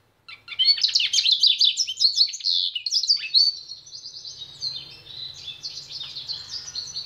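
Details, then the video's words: A pintagol sings a lively jumble of sharp chirps and downward-sweeping notes that settles into a long, even rolling trill, with a faint low hum underneath. "PINTAGOL EM CANTO"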